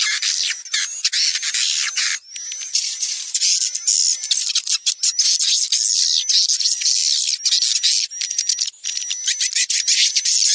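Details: Lure recording for attracting swiftlets to a bird house, blending young and adult swiftlet voices. A near-continuous wash of high, buzzy chattering and twittering, with faint sustained whistles and brief gaps.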